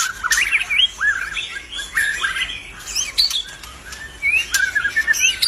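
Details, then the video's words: Albino white-rumped shama singing steadily with bright, looping whistled notes, quick chatters, sharp ticks and a clear rising whistle, phrases following one another with barely a pause. "murai BATU ALBINO udah cantik gacor pula.."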